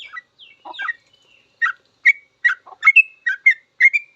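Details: Sooty-headed bulbul master song for training cage birds, opening with scattered soft notes and a thin whistle, then a quicker series of short bubbly chirps.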